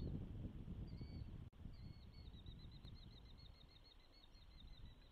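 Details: Osprey at its nest in Charlo, Montana, on 12 June 2024 during the first hatching, picked up by a nest camera: a fast run of high, thin, slurred whistled notes repeated several times a second, heard over steady low wind rumble.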